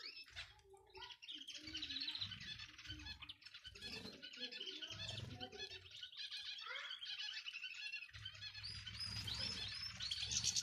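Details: Male and female European goldfinches in a group chorus, played to stir a male into song: continuous dense high twittering and chattering, with lower warbled notes early on, building steadily in loudness.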